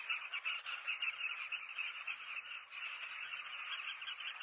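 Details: Many southern carmine bee-eaters (Merops nubicoides) at a breeding colony in South Luangwa National Park, Zambia, recorded from a hide, fill the air with a dense, unbroken chorus of rolling, throaty chirps.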